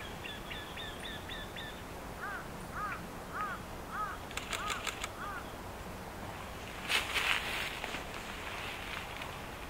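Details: Eurasian wryneck (Jynx torquilla), birds calling back and forth, singing a series of six nasal, slightly plaintive notes, about two per second, after a quicker high-pitched series; sharp clicks and a brief rustling burst follow.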